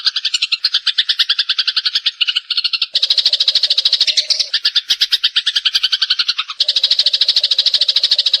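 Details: Several Java sparrows (Padda oryzivora) call at once in a dense, continuous stream of rapid, high, metallic bell-like chips and ticks.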